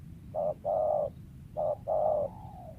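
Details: Wild spotted dove used as a lure bird, its voice sometimes breaking into stutters and short one-two kuk notes: four low, mellow coos in two pairs, a short note then a longer one, the last trailing off softly.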